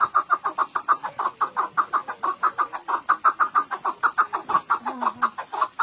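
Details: Chukar partridge giving a sustained run of sharp, repeated chuck notes at about three per second, fairly even throughout, with a brief lower squeaky sound near the end.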